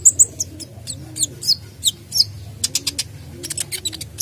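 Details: Sunbird singing with mimicked phrases, used to coax other birds into song: rapid, very high, sharp chirps and clipped whistles in quick irregular bursts over a faint low background hum.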